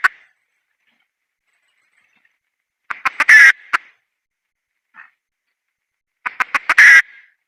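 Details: Sparse calling from a female red junglefowl: long silences broken by two bursts. Each is a few quick clucks ending in a loud harsh squawk, with one soft isolated note between them.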